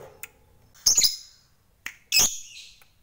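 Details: Fighter lovebird heard in two loud, shrill, harsh chirps about a second apart, each preceded by a faint short note, in a quiet background; the bird is said to be provoking rivals.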